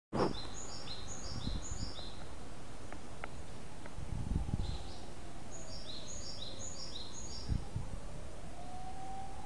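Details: Small wild birds of unknown kind, recorded in 2010, give high, thin chirps in short falling runs, a cluster near the start and another repeated about five seconds later, over steady low background rumble.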